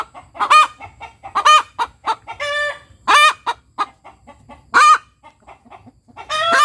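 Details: Village hen (ayam kampung) cackling after laying an egg: quick short clucks building into loud drawn-out nasal 'petok' notes, repeated about every one to two seconds, with a faint low hum underneath.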